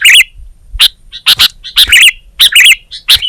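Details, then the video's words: Sooty-headed bulbul singing in quick bursts of bright, bubbly chirps, a new phrase roughly every half second, with no other sounds. "Suara Burung Kutilang Gacor"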